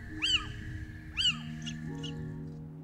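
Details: A male Little owl (Athene noctua) in Spain gives its territorial song, which starts in February: two mewing, rising-then-falling calls about a second apart, over soft background music.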